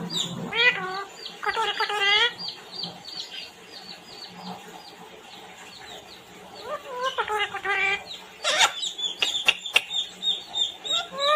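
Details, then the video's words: Talking parrot imitating Hindi words, the phrase 'mummy papa koun aaya hai': two bursts of strained, nasal, speech-like syllables early on and another near eight seconds, followed by sharp clicks and scraping knocks, with faint background noise throughout. "Talking parrot mummy -papa koun aaya hai"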